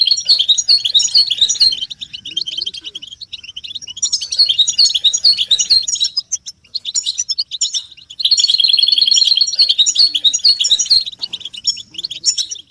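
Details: Collective 'batbata' chatter of caged European goldfinches, mating and readiness calls for stimulating males. Dense high twittering swells in waves, loudest near four seconds and from eight to eleven seconds, with quieter gaps between.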